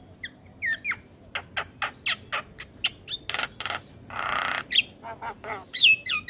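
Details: Jalak kebo (Javan myna) singing gacor, meant as a training model for young mynas: rapid rattling clicks and harsh notes, a long hissing rasp, then wavering squeaky whistles.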